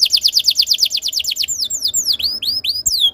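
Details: Canary song played to stimulate other canaries to sing: a quick series of evenly repeated downward-sweeping whistles, about six per second, breaking into varied chirps and swoops.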